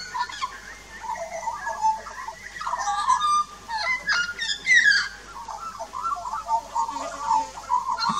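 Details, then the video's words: An adult and a juvenile Australian magpie duet at a backyard birdbath on 2 March 2018, in rich, warbling, fluting phrases with gurgles and sharp higher notes, voices overlapping throughout. "Australian Magpies Duet"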